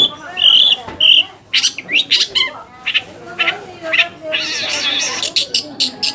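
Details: Long-tailed shrike lure song meant to provoke rival shrikes into answering: two clear whistled notes open, followed by harsh squawks, wavering chatter and a long rasping stretch broken by rapid sharp chips.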